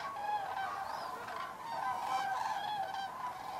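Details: Common cranes flying in to their roost at Federow, Germany, on the evening of 3 October 2018; a continuous, overlapping chorus of rolling crane calls from a large flock, without any single dominant bird.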